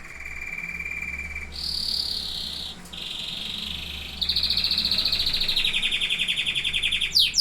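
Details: Canary singing: a steady trill near the start, then shifting buzzy rolls and rapid pulsed trills at high pitch, each phrase held one to three seconds, with faint low hum beneath.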